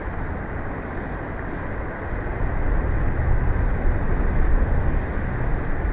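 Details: Steady roaring wind and low engine-like rumble that grows louder midway, with no animal voice heard.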